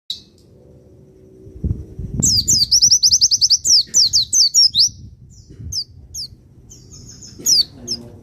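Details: Javan white-eye of the Pacitan type, a master recording meant to provoke other birds, sings a rapid series of high, sharp descending chirps in a fast burst, then scattered single notes after a pause; low background rumble.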